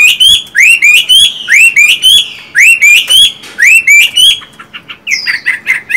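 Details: Chinese hwamei kept as a pet, of a singing-type and fighting-type pair never brought face to face. Repeated upward-sweeping whistles in an even rhythm, then a softer flurry of short chattering notes.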